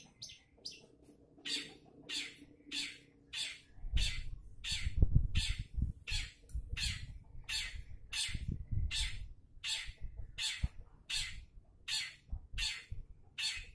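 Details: Long-tailed shrike singing as a lure to prompt other shrikes: a long series of harsh, grating notes repeated steadily about every 0.6 seconds, over a low background hum.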